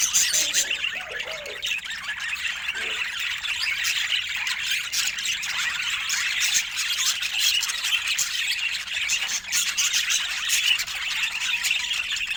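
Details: Budgerigars in affectionate moments, giving a dense, continuous stream of high chirps, squeaks and warbled chatter with no pauses. A few faint lower sounds appear near the start.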